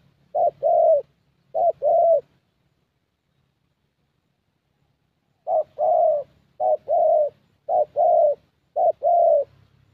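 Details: Spotted Dove, a young thổ bird with fairly good voice, calling during a decoy session in Gia Lai; paired coos, short then longer, in bursts separated by a pause of several seconds.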